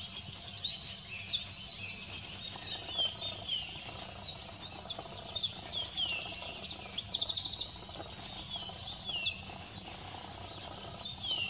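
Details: Preening Eurasian wren at Simunas on 2 April 2017 delivers high, hurried song phrases of sharp trills and tinkling notes, with a short pause near two seconds and a quiet stretch after nine seconds.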